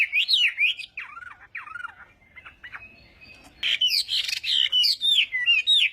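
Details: Hwamei in a singing contest during morning voice training, giving whistled slurred phrases, a softer patch of scattered notes, then loud rising-falling whistles with some rough, noisy bursts.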